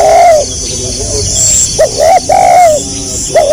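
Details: Spotted dove coo series in gagap rapat selang nguku style: a long level coo, then short upswept clipped notes and another drawn-out coo, over a continuous high cricket-like drone.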